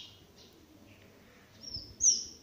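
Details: Four two-week-old Reeves's pheasant chicks give thin, high peeps, a few soft and scattered, then one louder, sharply rising peep near the end over a faint background hiss.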